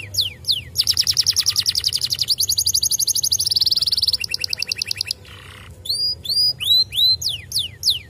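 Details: Singing canary, played so that other canaries reply: opening descending whistles lead into a long, dense rattling trill, then a second faster trill, a brief near-silence, and a closing string of looping downward-curving whistles; faint low-pitched hum beneath.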